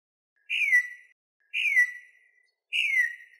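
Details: Venezuelan troupial, sound used to teach birds and draw in others: three separate clear, downward-slurring whistled notes, each roughly half a second long, spaced about a second apart.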